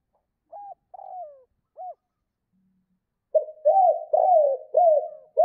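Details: Spotted dove calling to hens, giving a few spaced soft coos with a drawn falling note, a pause, then a quick run of repeated low cooing notes.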